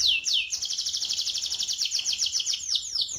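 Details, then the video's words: Canary singing in a rolling style to prompt other canaries that have gone quiet: two downward-slurred whistles, then a long dense buzzy trill of very rapid high notes ending in looser chirps. "Pancingan kenari macet bunyi - Kenari Gacor Ngerol"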